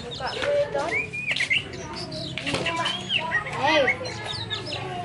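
Poci birds sing in a busy jumble of short clear whistles, slurred notes and chatter that overlap with little pause, over a murmur of background noise.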